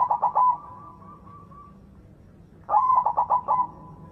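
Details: Loud white zebra dove song, meant as a lure for doves that have stopped singing: two phrases of rapid, bubbling coo notes, each ending in a drawn-out even tone, over faint low background hum.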